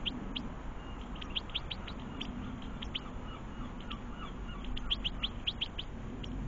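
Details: European goldfinches and young feeding in a garden; steady stream of short, high, thin chirps, some doubled, with a faint low hum beneath.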